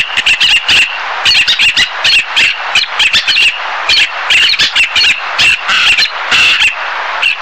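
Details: Black-naped terns giving a steady stream of harsh, scratchy squawks, quickly repeated and overlapping in irregular bursts, with no pause throughout.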